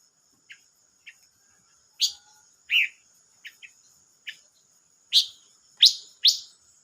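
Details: Silver-eared mesia recorded 25 May 2022, giving sharp, downward-swept chirps at irregular intervals, some single and some in quick pairs, over a steady thin high-pitched insect-like whine.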